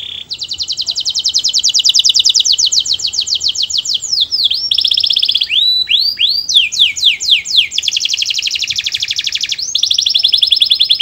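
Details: Canary singing melodiously, a song meant to get other canaries singing along: long rapid high trills of repeated notes, then swooping downward slurs and a rolling buzzy tour, all high-pitched and continuous.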